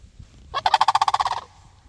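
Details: A single rattling, rolling call from sandhill cranes replying to a person. It lasts under a second, with rapid even pulses, and is heard against quiet low background noise.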